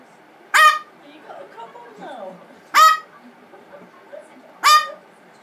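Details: Pet blue-fronted amazon in a bad-tempered tantrum after a spray of water and rose water gives three harsh, raspy screams roughly two seconds apart, with faint murmuring sounds between them.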